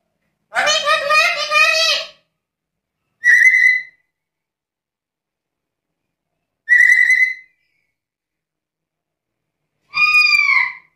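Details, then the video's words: Black-capped lory, noted as chatty, opens with a long harsh rasping screech, followed by short whistled notes spaced a few seconds apart and a final arched whistle. "Burung nuri kepala hitam gacor cerewet ini terbaik untuk pancingan dan masteran"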